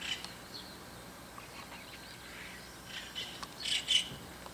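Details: White-cheeked starlings call noisily in the early morning above a neighbour's window. Faint scratchy notes come first, then a louder pair of harsh, grating squawks near the end over a soft background hiss.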